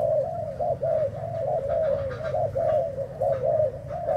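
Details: Continuous soft cooing from a Thai spotted dove, 11 August 2018, the mellow hoots running into one another in a steady rhythm over low hum.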